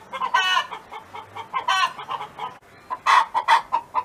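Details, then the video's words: Domestic hen belonging to a neighbour, singing: rapid throaty clucks building to loud nasal squawks, a short pause, then a fast burst of sharp clucks. "Chicken Hen Sound Effect"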